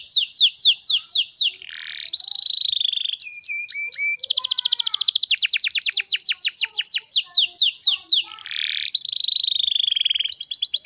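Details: Young-canary training lure of canary song, with loud rapid trills of falling sweeps, a long rattling buzz, clipped whistled notes and a rolling high tour, delivered without pause.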